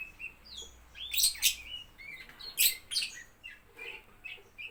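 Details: Lovebirds at a bird playground: a busy mix of high, short chirps and small rising whistles, with louder harsh bursts coming in irregular groups.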